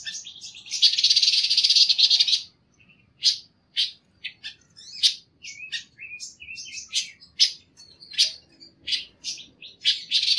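A high, dense buzzy trill of about two seconds, then a quick, irregular run of sharp, thin chirps and twittering notes.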